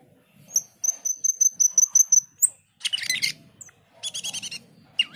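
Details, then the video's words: Male cucak keling strings together a steady row of bright, high repeated notes ending in an upward slide, then harsh buzzy chatter and a down-up whistle, with low background murmur. "Cucak keling jantan gacor menyusun lagu"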